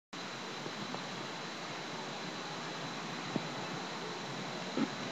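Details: Steady mechanical hiss with a few faint clicks, and no animal call.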